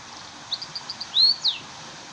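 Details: Munia singing: a short series of soft high chirps followed by a longer thin rising whistle and a brief high note, over faint steady background noise.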